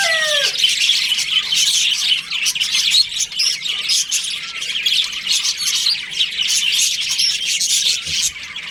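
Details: A colony of breeding budgies in breeding season: a short falling whistle opens, then many overlapping high chirps and warbling chatter run on without pause.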